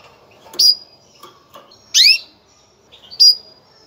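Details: Breeding call of a female canary, given to prepare males: three crisp calls, one a loud downward sweep, separated by quiet gaps and a few soft clicks.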